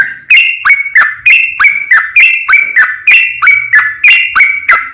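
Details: Yellow-vented bulbul in long-rolling 'ropel panjang' song used to prompt silent or stressed birds to sing: crisp, bubbling whistled notes repeated steadily at a little over three per second.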